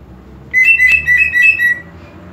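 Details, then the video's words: Greater green leafbird phrase meant to provoke aggression in a sluggish bird: a short run of bright, clear whistled notes, fairly level in pitch and quickly repeated, with quiet low hum behind. "PANCINGAN EMOSI UNTUK CUCAK IJO KURANG EMOSI"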